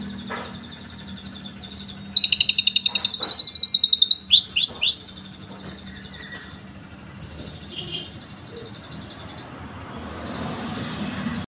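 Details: Asian pied starling with canary cililin-style song, suitable for tutoring other birds: one loud, fast, buzzy high trill of about two seconds, then three quick upslurred notes, followed by quiet background with faint distant chirps.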